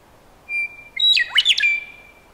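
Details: Western meadowlark song: a long steady whistled note, then a fast jumble of gurgling, flute-like warbles sweeping up and down, finishing on a drawn-out clear whistle against a quiet background.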